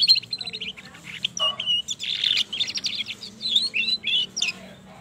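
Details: Lure song of a pied (trotol) canary with a long roll, played to stimulate other canaries. Loud, high warbling mixes quick rolled trills, zigzagging whistled notes and brief chips in an unbroken flowing run.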